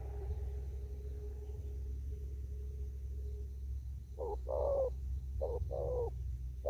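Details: Spotted dove in an upland field, thúc gù cooing: after several seconds of steady low hum, two quick phrases of a short note and a longer falling coo, with a final clipped note.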